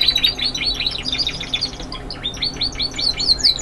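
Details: Young Spanish Timbrado canaries singing classic continuous song: rapid high chattering notes and quick downward-sweeping whistles, delivered in a dense, unbroken flow with slight rhythmic swells.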